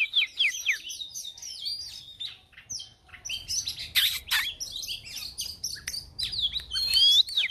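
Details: White-rumped shama female kept to stimulate fighting birds, giving a dense varied song of quick slurred whistles, clicks and harsh bursts, with a clear rising whistle near the end.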